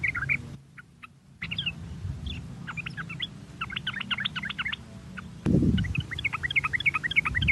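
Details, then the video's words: Sooty-headed bulbul song used as a lure to stimulate other bulbuls to sing: bubbly runs of short, bright chirping notes in quick clusters, with a brief silent gap and a low background rumble. "Pancingan Trucuk Baik agar trucuk Bunyi cepat gacor merangsang suara trucuk ini"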